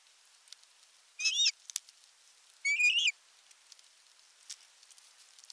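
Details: Osprey at a Western Finland nest in the Satakunta region, 19 July 2022, male arriving with a large fish: two separate sharp, wavering whistled calls about a second and a half apart against quiet background with faint ticks.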